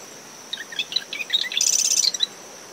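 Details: Early-morning Marsh wren song from dune shrubs surrounding a nest, recorder ten meters from the high tide line. Stuttering gurgled notes build into a rapid, buzzy mechanical trill about half a second long. A continuous cricket whine and wind sit behind it.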